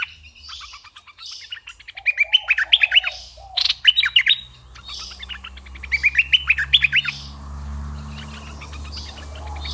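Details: Decoy red-eyed bulbul singing long, varied runs of rapid bubbling and chattering notes, with a low hum and hiss in the background.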